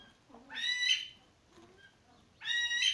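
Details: Captive male Himalayan monal (Lophophorus impejanus), kept with two females at a pheasant nursery, gives two loud, harsh, upward-sweeping calls about two seconds apart, with a fainter call between.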